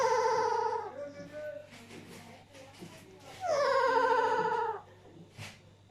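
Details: Alexandrine parakeets sharing food while a third one laughs indoors: two loud nasal harmonic calls, the first flat then dropping, the second slightly descending over about a second, with quiet gaps between.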